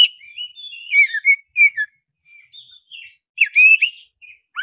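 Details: Lure song of a black-breasted oriental magpie-robin, or kacer: soft, warbled whistles and descending slurs, then louder rising phrases near the end.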